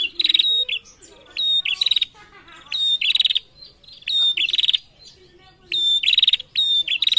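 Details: Prinia female calling busily while males reply, producing loud, fast metallic snapping trills with thin piping notes, coming in quick bursts nearly every second.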